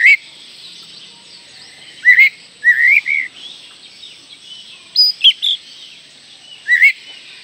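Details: Oriental magpie-robin whistles played as a lure for young birds to sing: scattered short whistled phrases, some doubled, separated by quiet gaps of a second or more, with a faint steady high hiss.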